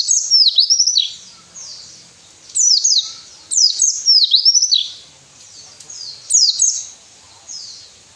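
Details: White-eye song meant to wake lazy captive birds into song: short, high bursts of steeply falling twittered notes, repeated every second or so, with soft trailing notes in the gaps.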